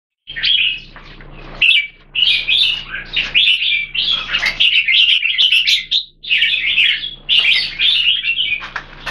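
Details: Red-whiskered bulbul, a kept bird, singing rich bubbling warbled phrases in repeated bursts of one to two seconds separated by short pauses, loud and clear throughout.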